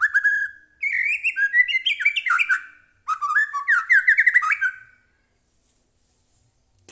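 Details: Captive white-rumped shama (murai batu) song for provoking another bird to sing: two long bouts of loud, varied whistles and rapid rising and falling notes, then quiet.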